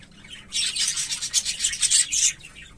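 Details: English Fallow budgerigars, both visual birds and carriers of the mutation, in a scratchy, buzzy high warble of rapid chattering notes lasting about two seconds, pulsing in quick uneven bursts.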